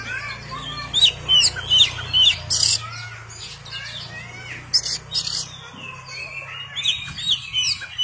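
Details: Oriental magpie-robin delivering fast, bright twittering phrases and loud chirps repeated over and over, over a steady low engine-like hum in the background.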